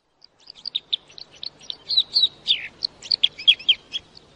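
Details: Red crossbill song: a rapid run of short high chips and twittering notes, a few slurring downward, delivered about four per second in a quiet setting.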